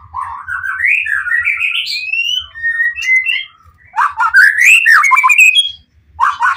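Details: White-rumped shama singing full of emotion, aiming to make other shamas answer; a long upward-sliding whistled run, brief level notes, then another rising burst of quick whistles and a final short phrase.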